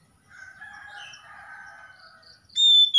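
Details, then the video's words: Oriental magpie-robin giving a soft, rambling warble that ends in a sudden loud, steady, piercing whistled note. "KACER SETRES MACET BUNYI LANGSUNG GACOR"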